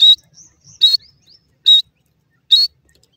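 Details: Wild grey francolin chicks in a forest giving loud, clipped high-pitched peeps, four in a row at an even pace of a little under one second, with faint thin chirps between them.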